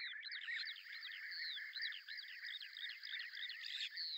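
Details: Lesser grey shrike (Lanius minor), a beetle-hunting shrike able to hover in place, giving a busy, scratchy chatter of rapid repeated notes mixed with thin whistled slurs, running without pause for several seconds; Azerbaijan.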